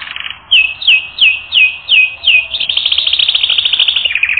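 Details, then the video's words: Canary training song: six clear descending whistled notes spaced about every 0.35 seconds, then a rapid continuous high trill. "Canary Training Record N°10"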